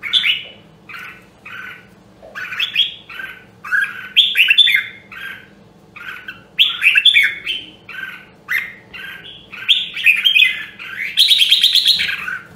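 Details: Red-whiskered bulbul of the rare Nam Đông Huế voice, trained for fighting song; a long run of repeated warbled phrases, steady short notes building to a dense bright burst near the end.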